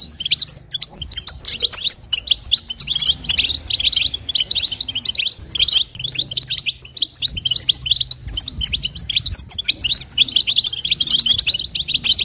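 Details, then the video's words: Long, steady run of a female European goldfinch's stimulating call, batbata style, a dense stream of quick high tinkling chirps and twitters with brief gaps, over a quiet low background hum. "نداء انثى الحسون لتحفيز طائر الحسون | بتبتة وستسته جديده"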